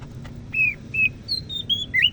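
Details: Greater green leafbird from Medan, North Sumatra, a prized Indonesian songbird, giving clear whistled notes: a falling slur, a short level whistle, then a run of higher steady whistles ending in a rising note.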